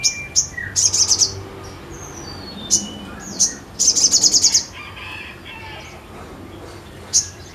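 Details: Crescent-chested babbler singing energetically, giving scattered high sharp notes and several short fast trills, with pauses between bursts over a faint noisy background.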